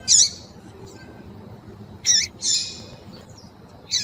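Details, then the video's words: Female double-collared seedeater (coleiro), in heat, calling to excite a male: short, harsh, high chipping notes, one sharp note then a pause and two more near the end, each a brief burst, over a low steady hiss. "FÊMEA DE COLEIRO FOGOSA PIANDO E CHAMANDO MUITO QUENTE"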